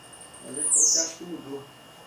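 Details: Blue-black grassquit singing on a hot 7 May morning. A single high, buzzy downslurred note overlapped by a man's speech in the foreground.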